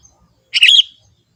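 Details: Young forest Sooty-headed Bulbul giving one brief, liquid, slightly slurred phrase of about a quarter second, otherwise quiet.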